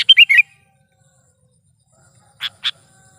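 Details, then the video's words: Lively Sooty-headed bulbul, a lure and tutor sound: a fast bubbly phrase of three warbled whistles opens, followed after a pause by two separate harsh, scratchy chirps. "suara burung KUTILANG GACOR"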